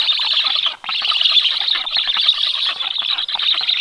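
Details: Black stork chicks begging at the nest while an adult feeds them on 21 July in the evening, giving a steady raspy, buzzing chatter with one short pause.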